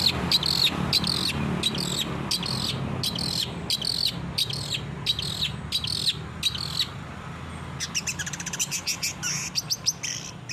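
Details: Training song of the long-tailed shrike for captive birds: regular harsh buzzy phrases repeated about three times a second, ending in a rapid fast rattling trill, with low steady hum beneath.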